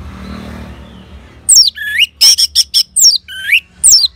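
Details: Orange-headed thrush answering a lure sound: loud, clear whistled phrases with sharp downslurred notes, rising sweeps and a quick run of repeated ringing notes, separated by short pauses over a quiet low hum.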